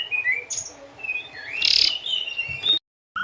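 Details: Asian pied starling song used as training audio for captive birds: slurred whistles and rising notes, a dense noisy burst near the middle, steady hiss in the background, then a sudden brief silence before the song resumes.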